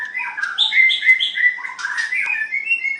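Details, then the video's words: Contest song of a White-rumped shama, a continuous rapid run of varied whistled and warbling notes, some high and ringing, others lower and slurred, with one sharp click midway. "Cara Mengadu kekuatan Ocehan Burung Murai batu white rumped shama"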